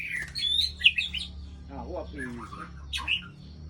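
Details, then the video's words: Aceh white-rumped shama lure call from Ladong, Aceh Besar: bright, clear whistled notes jumping in pitch, a short run of lower descending notes midway, then more high whistles over a faint low hum. "Murai Aceh - Pikat"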